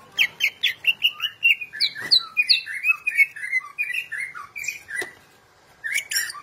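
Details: National champion greater green leafbird kept as a tutor singer, delivering a lively run of short chirped and whistled notes, about one each second, sliding up and down, then a brief pause before a fresh burst.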